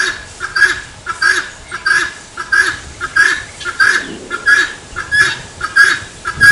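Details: Grating, cackling calls of a helmeted guineafowl, the familiar "tô fraco" phrase, repeated in a steady series of about nine harsh bursts with a short muffled noise near the middle.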